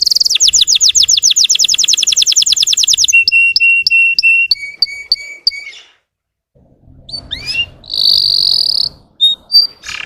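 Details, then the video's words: Russian canary song meant to excite untrained birds: a trill of descending sweeps, crisp whistled notes at falling pitches, a brief silence, then rising slurs and a buzzy note. "PANCINGAN SUARA BURUNG KENARI RUSIA UNTUK MANCING EMOSI BURUNG BAHAN"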